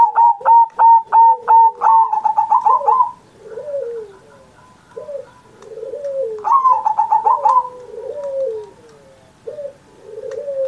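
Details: Zebra dove singing energetically, recorded on Indonesian Independence Day as a master recording to prompt pet doves to sing: a burst of rapid, evenly spaced high coo pulses, then a rolling trilled phrase, with lower drawn-out coos underneath.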